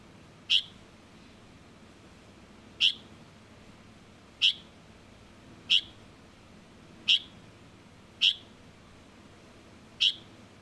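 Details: Juvenile Light-vented bulbul giving seven short, sharp, high-pitched calls, each a clipped single note, spaced roughly one and a half to two seconds apart over a low steady hiss.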